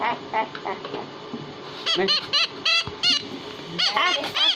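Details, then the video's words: Talking pet parrot, said to speak Hindi, producing faint early sounds, then bursts of loud harmonic syllables in quick succession, with steady background hum. "Hindi Speaking And Talking Parrot"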